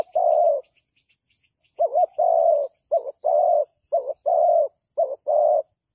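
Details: Cooing spotted dove, a decoy bird for trapping. It opens with one long low coo, then after a pause gives a string of four phrases, each a clipped double note followed by a sustained coo. Faint high ticking sounds in the background.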